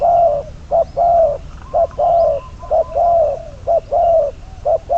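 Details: Caged decoy spotted dove, bird number 22, used to lure others into a trap, repeats a rhythmic cooing phrase of one brief hoot and one longer slightly falling coo, roughly once a second.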